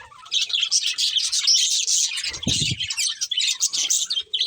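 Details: A pair of breeding budgies warbles in busy, scratchy high chirps with one short break; a brief low thud sounds around the middle of the steady chatter.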